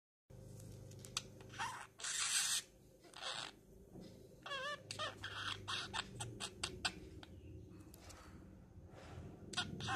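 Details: A female budgerigar talks to herself while relaxing on a person's arm, trying to sleep, chattering softly in bursts of scratchy warbles, clicks and squeaky, wavering notes.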